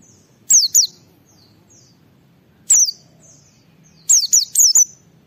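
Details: White-eye singing 'ngalas' style to trigger singing in other white-eyes: a pair of piercing high descending whistles, a lone note, then a fast run of four sliding notes; soft low hum beneath.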